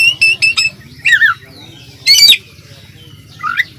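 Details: Oriental magpie-robin (kacer) singing vigorously in a masteran training recording full of fill phrases: three quick harsh buzzy notes, a descending slurred whistle, a loud rasping burst, then a short rising-falling whistle.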